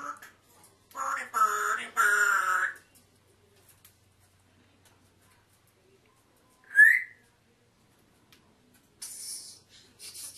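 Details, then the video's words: A pet African grey parrot talking: a loud harmonic, voice-like phrase of about two seconds, then a quiet pause, one sharp rising whistle, and finally a few short, hissy, scratchy high-pitched bursts. "African Grey Parrot Talking"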